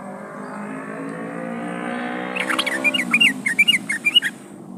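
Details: Yellow-vented bulbul calling to a rival: after a quiet start with low hum, a run of bright, bubbling, up-and-down whistled notes begins at about two and a half seconds and continues to the end.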